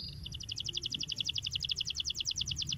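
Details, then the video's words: Canary song played as a tutor so that young canaries learn to sing: a fast, even trill of bright double-toned chirps, about eight per second, over a low background hum. "Cuitan Kenari Untuk Pancing Bunyi Kenari Muda Agar Cepat Gacor"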